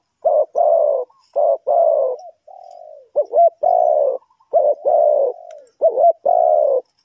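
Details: Spotted dove from Ninh Thuận, Vietnam, kept for bird trapping, cooing steadily: low, husky notes in repeated phrases, each led by quick looped warbles, with one long, soft, falling coo midway.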